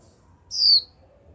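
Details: Young female white-eye kept as a cage bird, calling 'chíu' to prompt a male into song. One short, high, downward-slurred whistle stands out against faint low background hum.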